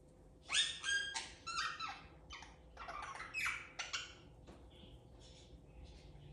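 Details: A young blue pet Indian ringneck parakeet plays indoors, chattering in quick, harsh bursts of squawks and clicks, about three a second, then fading to softer notes.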